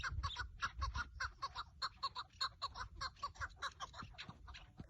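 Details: Partridge calling during a decoy partridge hunt on 30 March 2024: rapid harsh chuckling notes in a steady series, about a hundred per minute, with low rumbling background noise.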